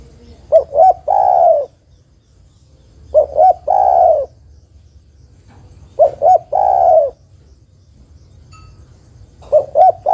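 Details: A female spotted dove calls a male; the recording serves to lure birds. Four regular phrases roughly three seconds apart, each with two clipped low notes leading into a drawn-out, falling coo.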